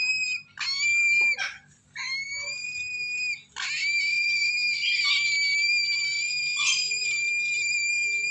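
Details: A lesser sulphur-crested (yellow-crested) cockatoo chick gives long, high, harsh screeches, each held for a second or more with brief breaks, in a quiet indoor setting.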